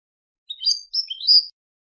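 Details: European goldfinch from Palestine giving a short, bright phrase of twittering, high chirps with quick upward and downward slides, lasting about one second in a quiet setting.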